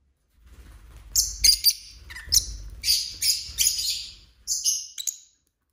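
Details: Indoor pet lovebirds chirping and squabbling: a rapid series of sharp, high, harsh chirps and short screeches, some with quick downward slurs, bunched irregularly over several seconds above a soft low rumble.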